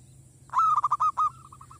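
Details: Zebra dove from a village, used as a lure for wild doves, giving a quick series of rolling cooing notes that trail off into softer fading pulses.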